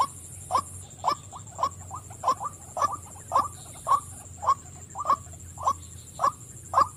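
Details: A female white-breasted waterhen calls repeatedly with clipped, rough notes that rise slightly, evenly paced at nearly two a second, with faint softer notes between them and a thin high hiss throughout.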